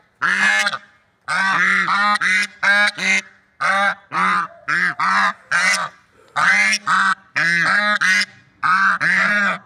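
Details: Swans calling in a natural setting: bursts of harsh, nasal, harmonic honks, often in pairs or triplets, alternating with brief silences over about ten seconds.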